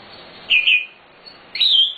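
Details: Nightingale singing with a full, lively repertoire, recorded as a master track for teaching other birds. Two short, bright whistled phrases, each slurred downward, are separated by a pause of about one second.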